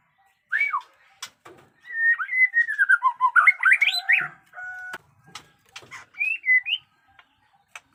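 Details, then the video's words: White-rumped shama in song: a quick rising whistle, then a flowing phrase of slurred notes and rapid chatter, a flat tone, and a final pair of rising whistles after a pause. "pesona AURA MURAI BATU JENGGOT DEWA fighter abis Batuk Koral, Muntah beling"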